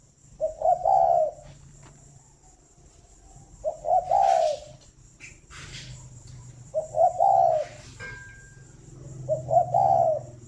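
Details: Spotted dove kept at a bird farm near Hanoi, Vietnam, singing in the morning: four soft, hollow coo phrases, each a quick double note running into a longer rolling coo, roughly every three seconds, with low hum and occasional clatter.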